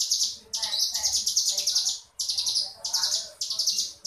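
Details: Short stretch of crescent-chested warbler ngebrem song: piercing, rasping high buzzes in rapid pulsing bursts, briefly interrupted twice.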